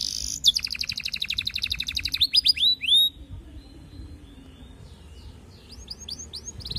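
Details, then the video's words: Canary wooing a female, the song serving as a lure to set other canaries singing: a fast high trill, a few upswept whistles, a quiet gap, then soft chirps returning. "Kenari Gacor Panjang MERAYU BETINA Cocok Buat Pancingan Semua Jenis Kenari Biar Ikut GACOR NGEROLL"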